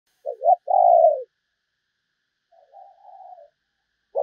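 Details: Spotted dove calling as a decoy to lure new wild doves: a loud two-part coo, a short rising note then a long falling one, followed by a faint softer cooing phrase after a pause.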